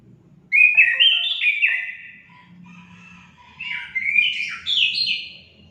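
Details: Orange-headed thrush song used to stimulate pet birds: a lively phrase of whistled notes dropping in pitch, a quiet gap, then a second rising and falling phrase.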